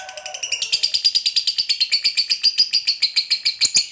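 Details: A lovebird fighter in long ngekek chatter that goads lazy lovebirds into song: a soft low hum at first, then a quick, even series of scratchy, shrill high notes.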